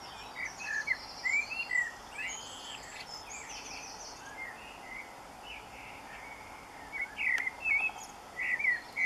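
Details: A distant common blackbird sings at dawn, 4am on 24 June 2015: short, mellow warbled phrases with brief pauses, over a steady background hiss.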